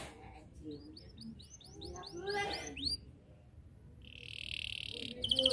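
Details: Canary singing to draw rivals into song: a series of quick rising whistled notes followed by a buzzy sustained tone and the start of a trill, over low background noise.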